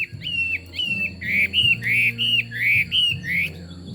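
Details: A Chinese hwamei sings a string of loud, clear whistled phrases, each a short flat or gently bending note, delivered about three per second with brief pauses. A low droning hum runs in the background.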